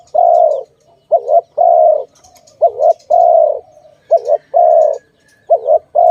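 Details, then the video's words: Dove linked to bird trapping, cooing steadily: each phrase is a quick warbled double note, then a sustained low hollow coo. The phrases repeat roughly every second and a half, with faint high chirps now and then. "Sound of good dove for letting altogether"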